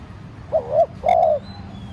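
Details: Decoy spotted dove giving a light urging coo to provoke wild doves into calling: one low phrase of two quick soft coos running into a longer drawn-out coo, over quiet background.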